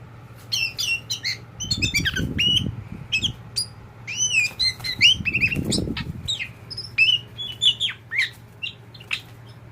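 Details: Tame kacer poci oriental magpie-robin singing a busy stream of sharp chirps and slurred whistles, notes coming rapidly, with two bursts of low fluttering or handling rumble in the middle.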